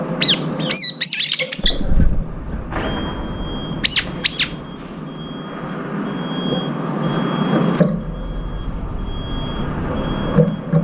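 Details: Brown-eared bulbuls competing for food, including one with an injured left foot. A burst of loud piercing squeals at the start, two arched calls around four seconds, then a steady thin tone and background rumble.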